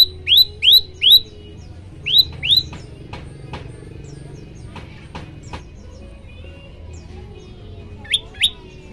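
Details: Olive-backed tailorbird singing as a training recording meant to set other birds singing: bursts of sharp, rising high chirps, three in quick succession, then two more, a long pause with faint clicks, and a final pair.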